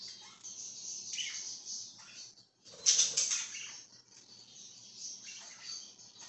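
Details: Budgerigar chirping, dated 26 July 2023: steady high, scratchy twittering chatter throughout, broken midway by a short burst of wing flapping with loud broadband rustling, then the warbled chatter resumes.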